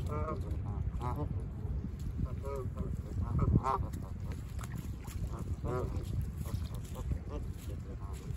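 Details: Autumn lakeshore at Humber Bay Park on Lake Ontario in Toronto, where Canada geese call in repeated short nasal honks, sometimes overlapping, against a constant deep roar of wind and lapping water.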